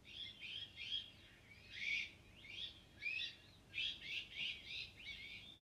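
Iberian magpie giving a quick run of rasping, slightly rising notes, about ten in six seconds, some grouped in close pairs, over quiet background.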